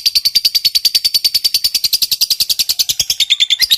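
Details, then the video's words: Long 'ngekek panjang' chatter of a fighter lovebird, meant to coax quiet lovebirds into singing: a fast, even run of shrill notes, roughly three per second, loud and unbroken for the whole stretch. "Suara Burung Lovebird Ngekek Panjang"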